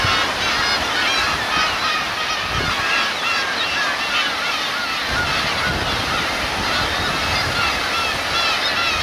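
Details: On Kurosaki coast, Teuri Island, Hokkaido, on 13 June 2021, Black-tailed Gull parents and chicks form a dense, continuous chorus of harsh, nasal mewing calls that overlap throughout, with a steady wash of surf underneath.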